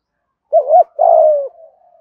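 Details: Spotted dove in thổ-style voice, used as a lure for wild doves: a short rising coo joined to a long rough coo that slides slowly downward and fades into a soft tail.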